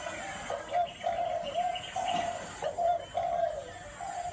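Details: Spotted dove cooing in the gáy gù style: a chain of low, smooth coo notes, some drawn out, repeated with brief gaps, with faint higher tones in the background.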